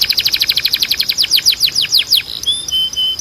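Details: Training song of a canary: a rapid run of repeated downward-sweeping notes, slowing slightly, then short high thin whistles held steady at the end.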